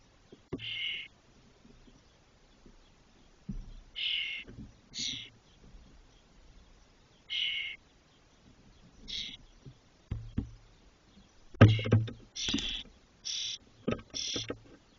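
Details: Nest-box spotless starling young, 21 to 22 days old and fully feathered, making short trips to the box's loft in Doñana National Park, Spain. About a dozen harsh, scratchy bursts come spaced irregularly over fifteen seconds, with thumps and scrapes of movement.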